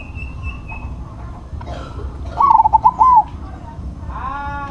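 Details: Crossbred zebra dove with a big voice gives one rolling, trilled coo phrase lasting under a second, set against background chirps, a higher whistled note and low hum.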